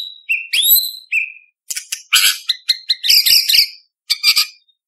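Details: White-rumped shama in varied competition-style song for training young spotted birds: clear rising whistles followed by rapid harsh chattering bursts and a final short scratchy phrase.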